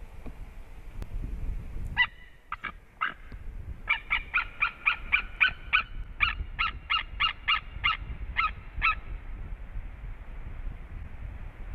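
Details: White-tailed eagle pair at a Latvian nest in March, male arriving for a reunion with the female; after a short pause, a run of sharp, yelping notes repeated quickly, several per second, over faint background rumble.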